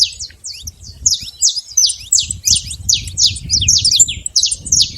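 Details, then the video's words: Saffron finch singing freely in nature, a brisk run of sharp, high, down-slurred chirps nearly three per second, with low background rumble. "canário da terra livre na natureza"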